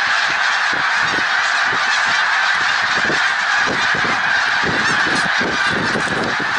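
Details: Snow geese massed at Middle Creek Wildlife Refuge, Pennsylvania, 1 March 2021: a loud, unbroken wall of high nasal honking from many birds, with frequent low thumps and rumbles, probably wind, underneath.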